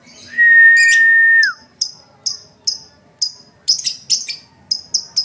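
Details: Gacor lovebird chatter in ngetik style: one long flat whistle that drops at the end, then sharp high clicks spaced about half a second apart, with a short dense cluster of ticks near the end.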